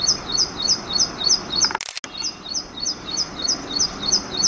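An ashy prinia gives quick, high, sharp chipping notes, about three each second, in a steady run. A brief click-like noise breaks in partway through.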